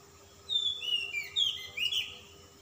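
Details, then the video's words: Calm-type Oriental magpie-robin giving insistent, richly filled song: smooth whistled notes sliding downward in steps, then a brighter burst of rough, warbled notes, with a steady faint background hum. "kacer ngotot ngobra isian mewah kacer Type dingin"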